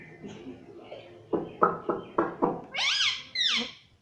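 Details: Pet parrot talking, said to say "mummy papa": a run of short clipped speech-like syllables indoors, followed by two longer, higher squawky calls with falling, hoarse tones.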